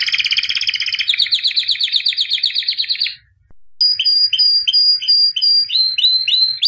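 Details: Albino white canary, champion of 2017, pouring out a fast rolling trill for three seconds, a brief pause, then a high whistled series of repeated dropping notes, about six per second.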